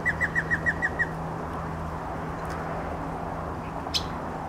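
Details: Yellow-breasted chat singing from arundo along the Santa Clara River, Oxnard: a quick run of about seven even, mid-pitched whistled notes in a second, then quiet over a steady low hum.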